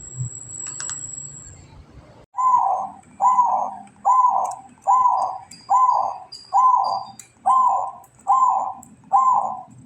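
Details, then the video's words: Local zebra dove, kantong semar type, in breeding condition, giving ngretek song: loud rounded coos repeated steadily about every second, nine in a row, after a faint high whistle-like tone at the start. "Perkutut lokal kantong semar ngretek"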